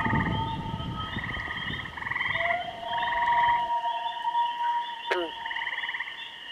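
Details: Kennebec common loons: pulsed tremolo bursts and a long level wailing note over low background rumble, which drops away midway; a brief sharp sound near the end.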